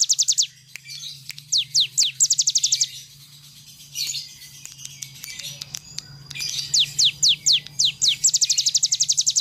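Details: Cigun bird singing energetically in rapid 'nembak' bursts for tutoring other birds: quick strings of piercing downward-sliding whistles, separated by gaps with scattered clicks and a low steady hum beneath.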